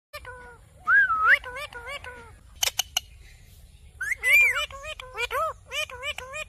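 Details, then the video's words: Alexandrine parakeet giving rich, ringing whistled notes, some rising and looping, mixed with speech-like syllables and a few sharp clicks in a short pause. "alexandrine parrot sounds"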